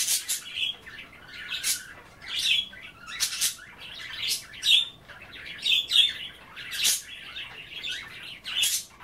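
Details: Pet budgerigars chattering while nibbling kale in their bath water indoors: warbling, scratchy notes and squeaks crowd together, with sharp broadband clicks and splashy bursts breaking in roughly every second.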